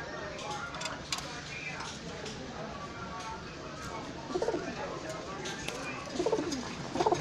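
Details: Female and paired pigeons give low, throaty cooing bursts over steady background noise, with brief human speech.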